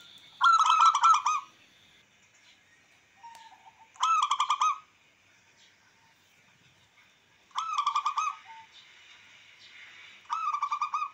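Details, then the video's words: Local wild-type zebra dove (perkutut lokal alam), its song meant to rouse rivals and breeding drive: four short bursts of fast, clipped cooing notes, one roughly every three seconds, over a faint steady hum. "Perkutut lokal alam,langsung respon cepat untuk merangsang dan emosi lawan makin meningkat"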